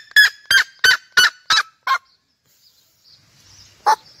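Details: Red-legged seriema finishing a yelping series: six loud, harsh notes about three per second, sliding lower in pitch toward the end, then a pause of about two seconds before one final yelp.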